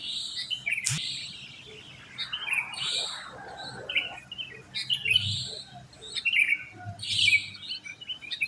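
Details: Sooty-headed bulbuls fill the early morning after dawn prayer time in a residential complex. Bright, bubbling phrases repeat in clusters over faint low background rumble and a single sharp tap.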